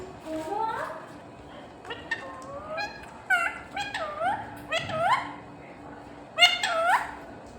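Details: Talking parrot trying to say "Mummy": a string of short harmonic, nasal notes, many sweeping up then dipping, given in uneven bursts over several seconds with quiet gaps between, over a faint steady hum.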